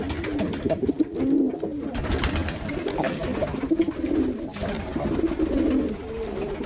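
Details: Jacobin pigeons cooing: low, throaty, rolling coos overlap in a steady murmur, with several birds seemingly calling at once and soft rustling beneath.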